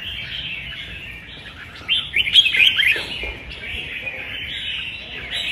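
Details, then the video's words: In a singing contest, a caged red-whiskered bulbul gives soft warbles that swell into a louder burst of sharp, rich whistled notes midway, then taper off. "Chào mào đấu hót hay"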